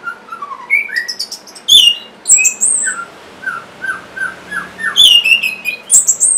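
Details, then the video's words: Song of an orange-headed thrush meant to spur silent caged birds into singing: mid-pitched slurred whistles and a series of short descending notes, mixed with sharp high chirps and twittering. "C0COK Untuk Pancingan Burung ANIS MERAH Bahan Macet Ataupun Malas Bunyi"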